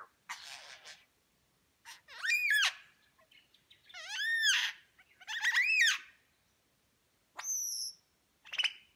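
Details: A lyrebird in New England National Park, NSW, Australia, mimics other birds while displaying its tail feathers: a rough buzzy burst, loud arched squawking notes, a hooked rising whistle, then a short high pure whistle.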